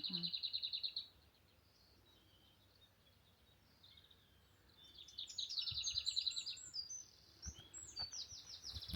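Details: In May, a hidden Lesser Whitethroat sings dry, high, fast rattles on one pitch, each about a second long, some led in by a soft warble, partly drowned out by a singing Chaffinch.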